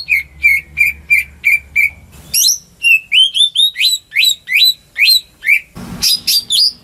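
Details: Home-kept greater green leafbird singing to lure silent birds into song. It starts with six even, repeated whistles, then gives rising upslurred chirps in a varied sequence, with one short noisy burst before the final high notes.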